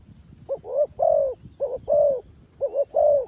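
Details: Spotted dove used as a lure for bird trapping, giving low cooing phrases three times: each a quick doubled coo followed by a longer, drawn-out croo, repeated about every second, against a quiet rural background.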